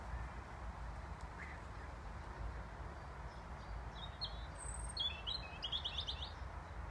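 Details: A European robin high in a treetop sings a short burst of high, thin, twittering phrases on a calm, overcast spring morning in woodland, with a chiffchaff also calling, over a steady low rumble of wind.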